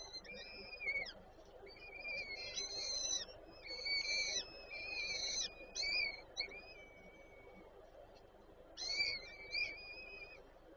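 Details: Peregrine falcon female feeding chicks at a nest in Żerań, Warsaw, Poland, 8 May 2023. Faint, thin whistled notes, some wavering and some slurred, come in groups separated by pauses, with quiet background noise.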